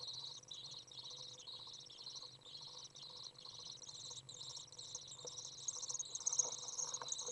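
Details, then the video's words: Fledged young Common Swifts on a hot 30 °C day, 27 June 2011, being fed by a parent: continuous high, sizzling trilled buzzes in short repeated bursts, growing louder and busier in the last seconds. "Common Swift young out of the nest, warm, feeding"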